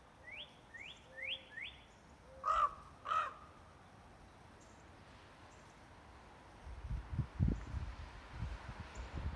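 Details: Birds calling at sunrise: four quick rising chirps, then two loud, harsh caws with a pause between, followed by low rumbling background noise.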